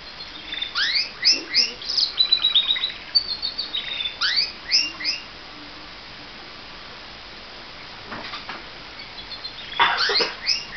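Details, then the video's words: A pet canary sings in the morning, bright, high phrases of quick upslurred chirps and short rolling trills, with a pause in the middle and a few faint clicks and rustles; finding: Canary. "My Canary Singing"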